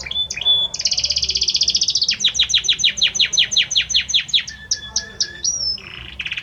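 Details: Male Belgian canary singing intensely for his female, a varied song of dense buzzy trills followed by a run of quick descending chirps repeated about three per second, then whistled notes and a short rising slide; faint low hum underneath.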